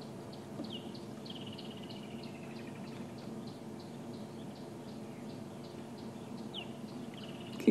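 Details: Woodland kingfisher calling at sunrise in Sabi Sand, 5 February 2016: faint, high sharp notes running into a falling trill, over a steady low rumble with other small birds chipping.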